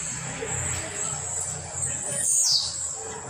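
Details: Blue-black grassquit singing at home during training, one clear high buzzy note dropping sharply in pitch near the end, with a steady high hiss and low hum underneath.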